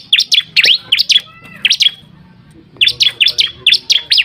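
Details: Lure recording of bar-winged prinia calls meant to draw birds in: loud bursts of sharp, high, down-up swept chirps in quick pairs, a silent gap of nearly a second, then another rapid burst.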